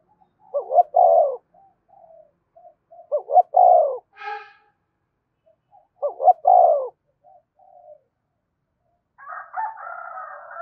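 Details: Spotted dove calling and provoking other doves: three bursts of rolling, hooked coos around two seconds apart, each followed by soft short notes, with a brief buzzy chatter between bursts and harsher notes at the end.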